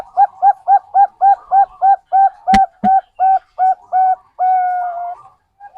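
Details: Bangkok zebra dove, played so that other birds will sing: about fourteen quick, clean notes repeated rhythmically, closing on a drawn-out tone, interrupted by two sharp clicks.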